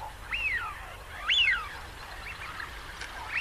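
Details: Wigeon whistles, two loud arching notes that swoop up and fall away, followed by fainter overlapping whistles from other birds and a final rising note.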